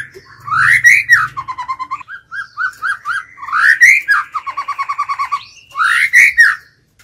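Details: White-rumped shama lure bird singing to entice rival birds to fight: rich whistled song of rising swooping notes and rapid rolls of repeated notes, three strong phrases in quick succession.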